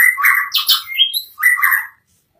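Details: White-rumped shama singing 'gacor': two short bursts of rough, chattering notes with a brief upward slide between them, then sudden silence.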